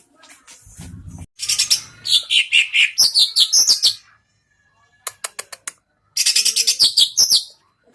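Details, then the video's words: Greater green leafbird (cucak ijo), a competition bird being tested for fighting style and nerve, gives two bright bursts of fast high whistled and chattering song, each a few seconds long, after a low thump. "GAYA NAKUTI LAWAN CUCAK IJO"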